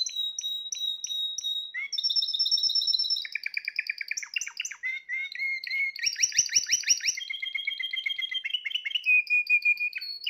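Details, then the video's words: A young Spanish Timbrado canary, hatched in 2020, sings a continuous run of varied phrases: bright repeated whistles, metallic rolled trills and quick chattering notes, changing tour every second or two. "تغريد طائر تيمبرادو"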